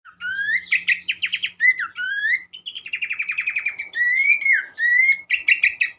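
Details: Abbott's babbler, played as a therapy recording to get other birds of its kind singing: a lively run of rising whistles, rapid buzzy trills and slurred notes with harmonics, delivered almost without pause.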